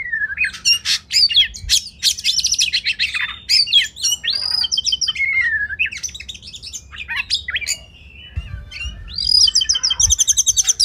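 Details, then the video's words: Long Oriental magpie-robin masteran sequence for competition bird training. Dense chattering and sharp notes give way to looping whistled slurs, a quieter pause, then a bright trilled flourish at the end. "Masteran Kacer Spesial untuk Burung Lomba"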